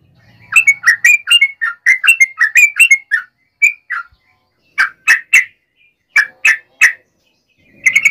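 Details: A yellow-vented bulbul (trucukan) gives a fighting song to provoke other bulbuls: a quick run of bubbly phrases, then slower groups of three throaty notes with pauses between.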